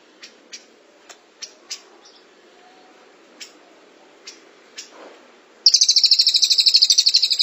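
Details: Cililin 'tembakan rapat' song used to tutor caged birds. Scattered faint sharp ticks precede a loud, fast, even high-pitched trill in the final seconds.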